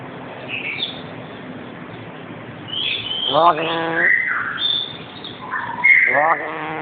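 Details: A pet black-capped lory, calling indoors, gives two loud, harsh, nasal squawks a few seconds apart, with thin high chirps and squeaks between them over a steady indoor hiss.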